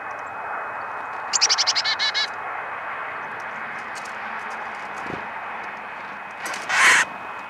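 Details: A northern cardinal at a bird feeder, seemingly telling other birds to get out, gives a quick burst of about nine sharp, metallic chips within a second, later a short rough rush of noise, over steady background hiss.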